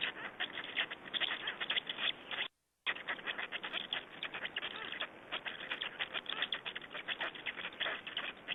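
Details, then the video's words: Black storks in Estonia on 20 May 2012 during a feeding: dense, rapid rasping pulses continue on both sides of a brief silent break. "Estonian Black Storks - Feedings"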